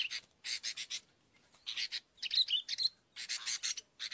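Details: Sooty-headed bulbul, a recording used for luring birds: bursts of harsh, rasping chatter in groups of three to four, with a few brief clear whistled notes in the middle.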